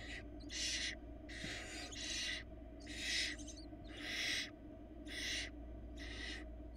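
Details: Begging from four barn owl nestlings being fed a rabbit by their mother on a Florida nest camera; rhythmic rasping hisses repeated about once per second, overlapping between chicks.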